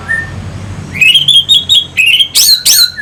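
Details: Orange-headed thrush song used as a provoking lure for fighting birds. A faint whistle opens, then rising clear whistled phrases follow, ending in loud, rough, buzzy notes.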